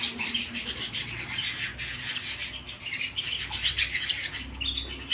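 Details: Canary song recorded at home, rapid high-pitched warbling and chirped phrases with scratchy accents, plus a faint low hum in the background.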